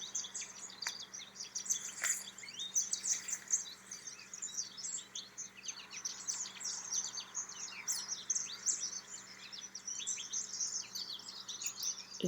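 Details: American goldfinches' jumbled bright song: thin, high twittering and sweet chattering notes run almost continuously over faint steady hum, recorded around a bird feeder under a tree where the birds came down to feed, March.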